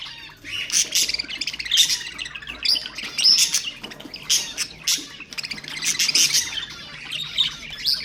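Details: Budgerigars, kept as pet birds, chattering to stimulate other birds to sing: dense warbling chatter with sharp high chirps and squawks in bursts about every second, several birds overlapping.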